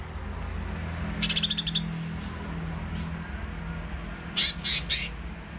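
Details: Greater green leafbird (cucak ijo) in ngerol song: a fast rattling trill of ticking notes, then a pause and three loud ringing chirps, over a constant low hum.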